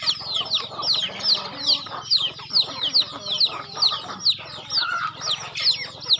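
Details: Chickens fed on a rural home farm; clear high peeps, each sliding downward, repeated about twice per second in a pulsing rhythm, with soft clucking beneath.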